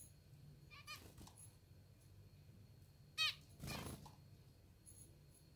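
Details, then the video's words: Pet zebra finches, hungry and hand-fed, give two short, nasal, buzzy begging calls several seconds apart, between bursts of rustling and handling noise in a quiet room. "Hungry Zebra Finches || Hand feeding zebra finches"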